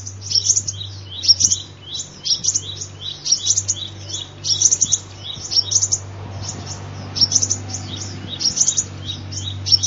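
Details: Sunbird song used as a lure call: dense run of very high, sharp chirps and tinkling trills in quick clusters, nearly unbroken, with a steady low hum behind.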